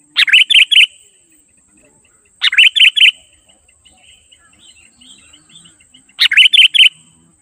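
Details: Lure song of a sooty-headed bulbul, sung in energetic 'gacor' style to draw in wild birds: three phrases of four rapid, liquid, slurred notes separated by pauses of a few seconds, with faint soft chirps in between.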